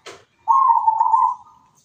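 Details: Zebra dove (perkutut) in active song, melodious and echoing: one loud mellow coo lasting nearly a second with a slightly rolling, trilled texture, preceded by a short soft rustle.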